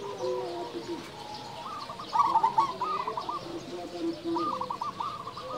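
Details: Loud, frequent singing from local zebra doves, used to stimulate quiet doves. Gentle rolling trilled coos rise and repeat, with other doves answering in a lower sustained coo underneath.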